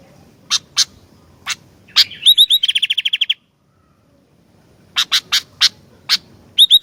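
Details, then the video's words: Sooty-headed bulbul in full voice: scattered sharp ticking notes, then a fast run of a dozen bright hooked notes, a brief silence, and renewed sharp ticks and short ringing notes. "Kicauan Gentilang Gacor Dooor"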